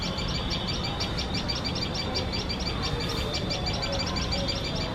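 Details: Tailorbirds defending their nest from a nearby male cat with a fast series of piercing high chips, about three a second, steady in pitch, over low background rumble.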